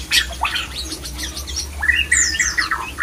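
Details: A white-rumped shama gives a mating call meant to rouse other shamas: sharp high chips and fast slurs at first, then a string of short level whistles repeated rapidly near the end, over a low steady hum.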